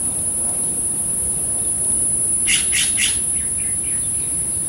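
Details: California Scrub-Jay (Aphelocoma californica) at bath time, Los Angeles, California, 6 June 2022: three harsh, raspy notes in quick succession, then a few fainter ones, over a steady high insect-like whine and soft background hiss.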